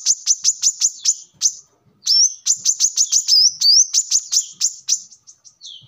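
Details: Brown-throated sunbird song, used as a lure or training model for cage birds: rapid series of very high, sharp chirps, some as upward-sweeping whistles, in bursts separated by short pauses.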